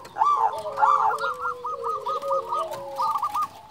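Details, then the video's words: Local zebra dove, a prolific caller used as a lure to provoke other doves, giving a bubbly cooing phrase of rapid rolling notes followed by a run of evenly repeated short coos, over a steady lower drawn-out tone. "Perkutut lokal gacor Juara memanggil hanya sekali putar langsung nyaut"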